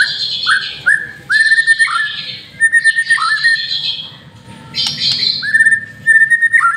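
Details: White-rumped shama lure song of repeated downward-hooked whistles with buzzy upper tones and short rattles, phrases coming in quick bursts.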